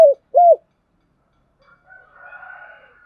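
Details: Spotted dove used as a decoy to lure other doves: two loud, short, arched hooting coos in quick succession, then faint softer murmuring notes fading out.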